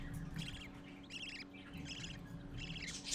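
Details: Parakeet chicks gathering to see their father, in captivity: repeated bursts of chattering, scratchy chirps about every half second, over a steady low hum.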